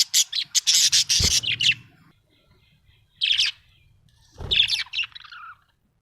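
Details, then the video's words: Happy pet budgerigar chirping: a rapid run of sharp high chirps in the first two seconds, then two scratchy warbled bursts with pauses, and soft low thumps underneath. "Happy budgie chirping sound"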